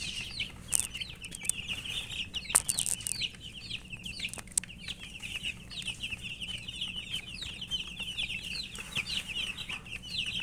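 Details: Murgi chicks, baby chickens, calling for drinking water: a flock keeps up an unbroken chorus of shrill, rapid peeps, with a few sharp clicks and taps early on.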